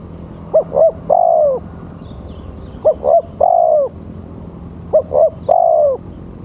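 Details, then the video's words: Male spotted dove calling, used as a lure call for trapping doves. Three low cooing phrases, each a short note, a slightly longer note and a long drawn-out falling coo, repeated about every two seconds over a steady low hum. "Suara Tekukur-Pancinga Tekukur"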